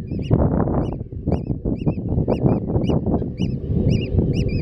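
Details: Eurasian oystercatchers at Terschelling in the Netherlands, on grassland and mud flats, give loud, sharp kleep notes, each rising then falling, about two a second, against a strong low rumble.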